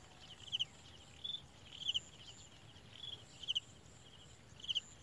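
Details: Very small olive-backed sunbird chick fed by adults: short squeaky double notes spaced about a second apart, with a few longer thin whistles and a high steady hum.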